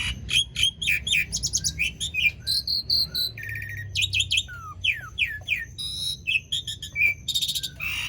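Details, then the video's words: An Asian pied starling pours out its song as a lure for quiet starlings: quick varied notes, buzzy trills, downward-sweeping whistles and a few rapid clicking runs. "Jalak Suren Gacor Dor Ngerol Panjang Ampuh Buat Pancingan Jalak Macet Agar Bunyi"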